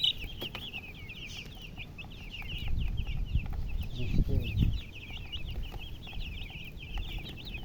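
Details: Chicken chirping alongside a hen: a busy layer of high, rapid peeps continues throughout, while a low rumbling voice-like sound swells in the middle.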